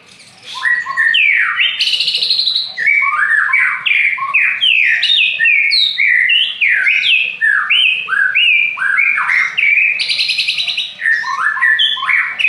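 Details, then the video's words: White-rumped shama of the Aceh type singing loudly and continuously: a rich medley of ringing whistles, rising and falling slurred phrases and occasional sharp buzzy bursts, delivered without pause for over ten seconds. "Murai Aceh"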